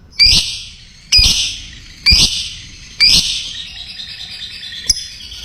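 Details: Lovebird in a training recording for other lovebirds: four harsh, loud screeches about one second apart, each trailing into a fading buzzy hiss, then a faint chatter.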